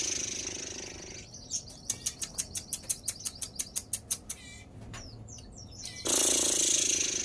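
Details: Sogon (crested jay) described as excited and in breeding condition, giving a dry rattling series of about fourteen sharp clicks, roughly four per second, over a steady high whine, followed by a burst of loud hissing noise.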